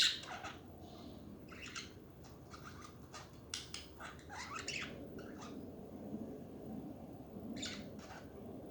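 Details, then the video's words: Pet budgerigars chattering indoors in a small room: bursts of scratchy, buzzy squawks and short chirps, irregular and overlapping, with a low background hum throughout. "Hours of chatting budgies to relax study and chill HD budgie birds"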